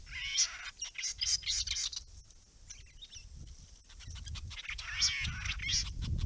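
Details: White-browed babblers, a restless, noisy group of up to seven visiting a pond amid native grasses and open under-story, give harsh, scratchy chattering notes in quick bursts, loudest at the start and end, over a low rumble of wind.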